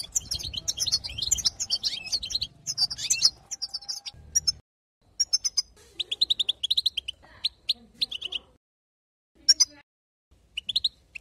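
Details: European goldfinch giving 'batbata' twittering song meant to excite other goldfinches: a busy tinkling burst at first, then separated short phrases of clipped high chirps with silent gaps between them.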